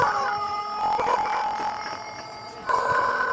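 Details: Crow of a Pelung cockerel, a West Javanese breed kept for its long melodic crowing and used here to prompt other roosters. A sustained, ringing, mid-pitched tone wavers slightly, then a fresh crow rises sharply near the end.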